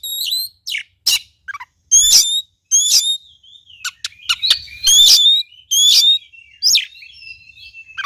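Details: Oriental magpie-robin song used to prompt a lazy bird into singing: a rapid sequence of loud, ringing whistled phrases and sharp click-notes, repeated roughly every second with brief silent gaps, closing in softer slurred notes.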